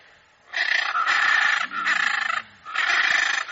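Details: Harsh, raspy screeches of a hyacinth macaw come in three long, loud bursts, each over half a second, with brief pauses between them and faint low sounds in the background.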